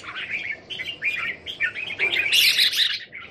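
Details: Red-whiskered bulbuls kept in numbers at a home in Thailand, recorded 27 January 2021: busy overlapping chirpy phrases, bright and warbled, with a louder burst of harsh notes near the end.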